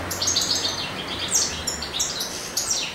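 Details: Courting male European goldfinch in spring pours out a fast, tinkling twitter of high chirps, short buzzy slurs and sharp downward notes, packed closely together over a soft background hiss.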